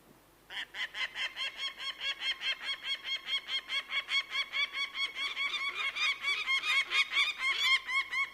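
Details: Bird of prey breaking into a sustained run of harsh, repeated notes after a brief quiet start, about three per second, getting somewhat louder and busier later.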